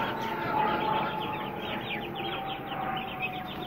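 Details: Group of Aseel chicks for sale, ranging from 20 days to two and a half months in age; thin descending peeps pour out several per second, overlapping, above a steady tonal hum.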